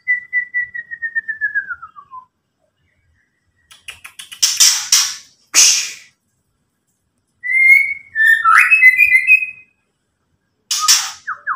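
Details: White-rumped shama ketrekan call, used to agitate rival birds: a clear whistled note sliding down, then harsh buzzy bursts of rattling chatter, followed by quick rising whistles and another harsh rasp, with quiet pauses between phrases.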